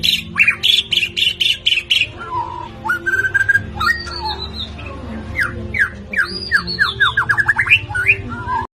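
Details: White-rumped shama in the rough rolling 'ngerol kasar' style, used to provoke rivals. Rapid high chip series, then flat and rising whistles and quick descending slurred notes in fast bursts, over a steady low hum.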